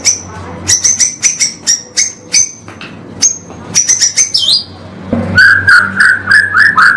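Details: Murai batu, or white-rumped shama, on a 'pastol' training recording for caged birds: spaced very high thin whistles with clicks, a downward slurred note, then a quick series of lower rich warbled notes.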